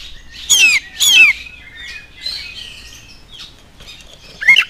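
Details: Oriental magpie-robin lure song for drawing replies from other magpie-robins; two loud, harsh, downward-sliding notes, then soft twittering and chatter, ending with one more sharp note.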